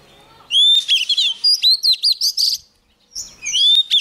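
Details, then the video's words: Young Oriental magpie-robin singing vigorously as a wild bird comes near: a clear rising whistle, then a fast run of loud chirpy, twisting notes, a short pause, and another whistled phrase. "Choè than non lên hót cực sung khi bổi đến gần"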